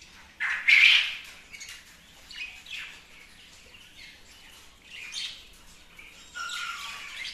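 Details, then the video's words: Pet budgerigar calling with scattered, bright chirps and squawky notes in short bursts, some louder near the start and a warbling run at the end, set against quiet background. "বাজরিগার পাখি"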